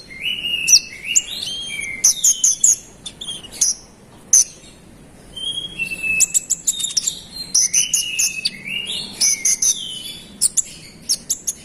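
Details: Scarlet-headed flowerpecker pouring out an insistent provoking song: dense clusters of very high chips mixed with thin, downward-sliding whistled notes, repeated in bursts with short pauses.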